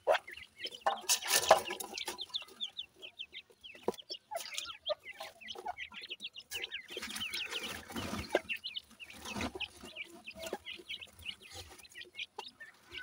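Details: A brood of captive-bred grey francolin chicks from Punjab keeps up a dense, busy chorus of tiny high peeps, many overlapping, broken by brief bursts of rustling and knocking.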